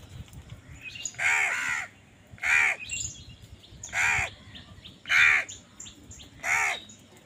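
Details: Five harsh, nasal crow caws roughly a second apart, each rasping and evenly loud, as crows contest food; thin high chirps of other birds flicker in the gaps.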